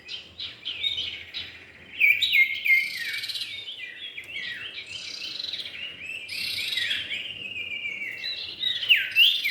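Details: Common iora, male and female, used for luring: sharp clipped chirps in quick groups, layered downslurred whistles and chatter, ending in bright rising and falling notes.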